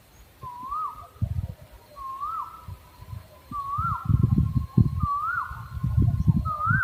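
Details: {'caption': 'Owl repeating a rising, hooked whistle about every one and a half seconds, five notes in all, while loud low thumps and rumbling noise come and go beneath.'}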